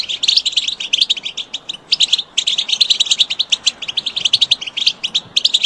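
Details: European goldfinches giving rapid, bright, tinkling twitters in dense bursts, chirps overlapping almost continuously with short pauses near two and five seconds.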